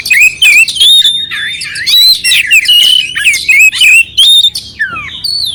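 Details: Oriental magpie-robin with a clean voice and coarse filler notes, used to excite an unresponsive magpie-robin: rapid whistles holding high, spliced with scratchy buzzes and sharp chips, ending in a downward slur.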